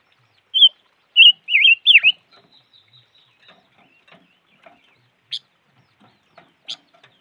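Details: Silver-eared mesia opening with four bright warbled whistles, the last bending sharply downward, followed by a few scattered sharp chips over the next five seconds.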